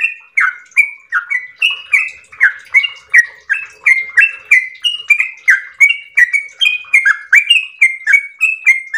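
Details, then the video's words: Yellow-vented bulbul pouring out a long, sweet 'ropel' song in full voice: steady, rapid whistled notes rising and falling continuously, with no gaps across the phrase. "ROPEL MERDU trucukan gacor ropel panjang istimewa"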